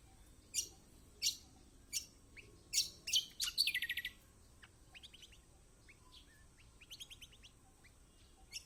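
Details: Lemon-bellied white-eye song played as a lure to get reluctant caged birds singing: spaced sharp high chirps, a quick rattling burst of rapid notes in the middle, then softer chattering twitters.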